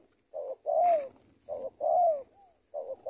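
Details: Spotted dove used as a lure-training bird, cooing in a repeated low phrase: a short muffled coo followed by a longer, fuller, falling coo, the pair repeating roughly every one and a half seconds.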